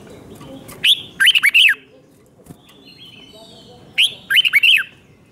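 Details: Thai red-whiskered bulbul singing a doubled five-syllable song, used to teach young birds: two bright phrases about three seconds apart, each an opening note followed by four or five quick, slurred, downward-bending whistles.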